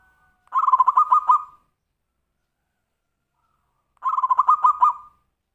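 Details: Zebra dove performing the tumpang sari song, used as a lure for other birds: two bursts of quick, trilling coos about a second long, separated by a silent gap of over two seconds.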